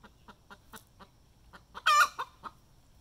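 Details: Hen's post-laying egg song: a series of soft, spaced clucks, then a sudden loud, drawn-out squawk followed by two quick clucks.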